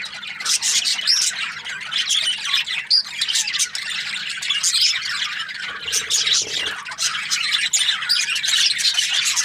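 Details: A constant wash of bright chirps and chattering warbles from Australian budgies. The shrill notes tumble over one another, and a short dull knock sounds near the middle.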